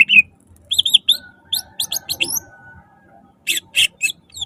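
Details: Loud greater green leafbird song used to prompt other leafbirds to sing: scattered high chirps and quick twittering phrases separated by pauses, over faint low background hum.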